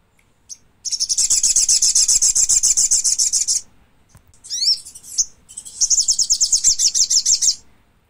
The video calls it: Thick Billed Spiderhunter